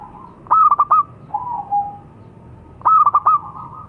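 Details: Two staccato song phrases from a local zebra dove (perkutut lokal), each a fast run of four clipped coo notes, separated by a soft, sliding lower coo; steady faint hum behind.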